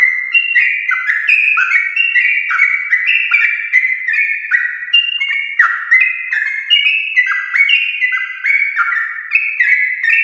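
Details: Sooty-headed bulbul singing the long ropel song in the morning to stimulate other bulbuls: a dense, chattering flow of fluty notes packed closely together, pitch shifting up and down throughout ten seconds of continuous singing.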